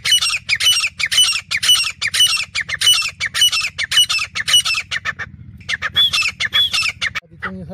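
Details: Grey francolin call used as a hunting lure: harsh, high, ringing notes repeated rapidly and evenly for five seconds, then a brief pause and a few more notes, with a steady low hum beneath.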